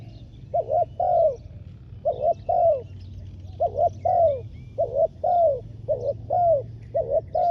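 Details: Decoy spotted dove set on the ground to call in wild doves, uttering paired hollow coos, a brief note followed by a drawn-out falling croo, in irregular bursts; soft distant twittering above and a steady low rumble.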